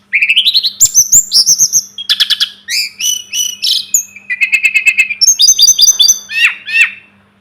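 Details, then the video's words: Loud, continuous Sunda robin (tledekan gunung) song for masteran: rising whistles, dense runs of rapid repeated notes, a held buzzy trill, then chiming upslurred phrases and two sweeping downslurs. "Masteran burung tledekan gunung || burung sulingan gunung"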